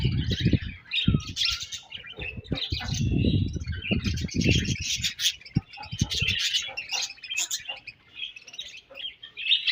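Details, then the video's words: Budgerigar colony in the morning, a dense chorus of many birds chattering at once: warbled, scratchy chirps and short squeaky notes layered continuously. Deep thumping knocks break in during the first six seconds. "𝑩𝒖𝒅𝒈𝒊𝒆𝒔 𝑪𝒐𝒍𝒐𝒏𝒚 𝑪𝒉𝒊𝒓𝒑𝒊𝒏𝒈 𝑺𝒐𝒖𝒏𝒅𝒔 𝑰𝒏 𝑻𝒉𝒆 𝑴𝒐𝒓𝒏𝒊𝒏𝒈"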